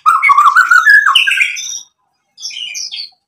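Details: Rich, varied white-rumped shama song played as a lure to make other shamas answer: a fast warbled run of whistled notes climbing in pitch, a short pause, then a brief high twittering burst.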